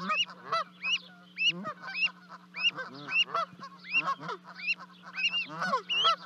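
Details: Canada goose parents calling as two goslings leap from their 30-foot-high nest at Charlo, Montana, on 12 May 2020: repeated ringing, arched honks in clusters with rougher lower calls, against a steady hum.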